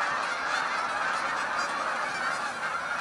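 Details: Large flock of Canada geese lifting off into flight: a thick wall of overlapping honks blending into one unbroken, steady roar of nasal calls.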